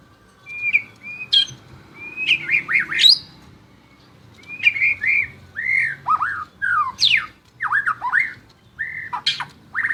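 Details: Energetic song of a champion white-rumped shama: varied whistled notes, clear slurs and sharp high upstrokes, repeated in quick sequences with short gaps, each phrase differently shaped.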